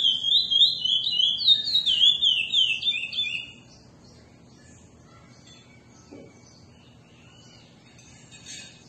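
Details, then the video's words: Curió singing its classic-style song: a fast, sweet, warbled phrase of connected high whistled notes, rising and falling for about three seconds, then near silence with a faint distant note. "Curió canto clássico espetacular"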